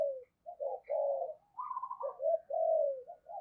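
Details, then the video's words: Decoy spotted dove calling to attract wild birds, heard fairly quietly. Soft, low, drawn-out coos follow each other, with a short wavering, slightly higher run in the middle. "Chim Cu Mồi Gáy Gọi Giọng Hay Và Rất Sát Bổi"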